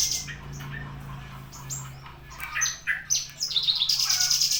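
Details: Javan bushlark recorded on 24 September at ten o'clock: scattered sharp chirps over a low steady hum, building to a rapid, high, fast-repeated trill at the close.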